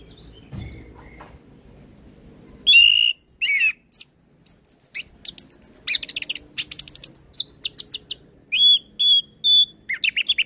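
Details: Orange-headed thrush in lively full-imitation song, played as a lure and training aid for young birds: loud slurred whistles, then rapid chattering runs of high chips and clear repeated whistled notes.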